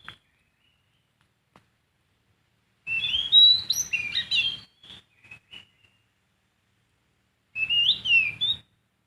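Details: Wild sooty-headed bulbul song: a lively jumble of high whistles and chirps for about two seconds, a few scattered short notes, then another brief whistled phrase after a pause.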